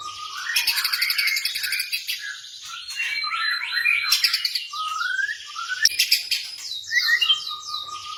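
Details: White-rumped shama of the blorok variety, kept caged, singing a song meant to draw other birds into song: rapid rattling bursts, varied whistled slurs and downward sweeps, repeated phrases with harsh chatter.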